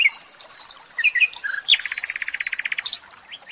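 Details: Caged common nightingale singing a varied, rapid phrase: a fast series of high trilled notes, sharp whistles, then a long run of evenly repeated pulses.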